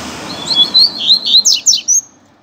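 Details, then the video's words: Loose Double-collared seedeater singing out on a street, used as a tutor song for learning: one quick, high phrase of sharp, slurred chirps and short rising whistles, ending in clipped notes, over faint low background hum. "COLEIRO SOLTO NEM SABE PRA ONDE VAI!!! Dando Show na Rua!!! - Coleiro Professor Aprendizado"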